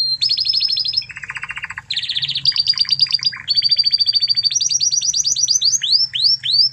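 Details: Original Spanish Timbrado canary singing as a training master for other canaries: metallic trills alternate with a low buzzy rolling tour, then fast high rattles and a series of sweeping rising whistles.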